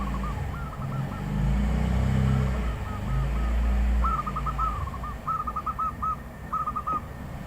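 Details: Wild zebra dove singing clipped groups of quick cooing notes over loud low vehicle rumble that fades partway through.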